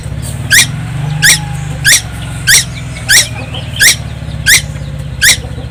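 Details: A young tuwu from Timor Island, constantly singing, delivers eight harsh falling notes at a regular beat of about one every 0.65 seconds, with low engine-like droning underneath.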